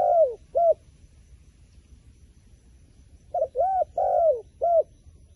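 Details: Wild pigeon giving soft hollow coos. A pair of arched notes opens, then a gap of about two and a half seconds, then a run of four rounded hoots, one slightly drawn out.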